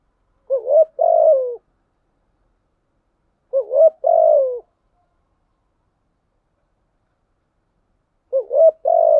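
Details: Spotted dove (cu gáy) lure recording to draw in wild doves. Three matching phrases about four seconds apart, each a quick rising coo and then a longer falling coo, soft and low-pitched against silence.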